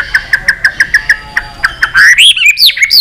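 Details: White-rumped shama singing in fighting style to stimulate weaker birds: a string of short evenly spaced chip notes, then a loud burst of high swooping whistles.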